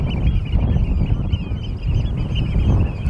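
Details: European golden plovers at Norddorf, Amrum, in April 2022, afternoon: a brief burst of several soft, bending whistles overlapping one another, set against a strong rumbling wind.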